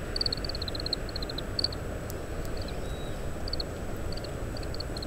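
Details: An Oriental greenfinch feeds on seeds in split summer camellia fruits, spitting out shells, calling softly; parabolic microphone, strong wind. A rapid run of high twittering notes opens, followed by spaced pairs and triplets of chirps over low wind rumble.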